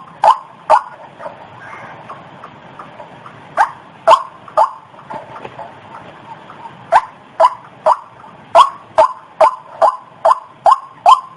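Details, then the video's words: Waterhen lure call of a white-breasted waterhen: scattered croaks at first, broken by short gaps and a soft background hiss, then settling into a fast, regular series of harsh repeated notes. "SUARA PIKAT BURUNG RUAK"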